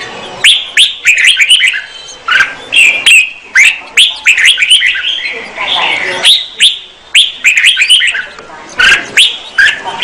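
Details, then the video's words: A female red-whiskered bulbul sings to rouse a male, giving busy runs of clear chirping, warbled notes in short bursts about every second, mixed with sharp tapping clicks throughout. "Chào mào mái hót kích trống Red-whiskered female"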